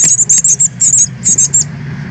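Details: Northern cardinal fledglings at the point of leaving the nest, 13 August 2020, on a live stream: loud, close, high squeaky notes in three quick groups of two to four, clear over faint low hum.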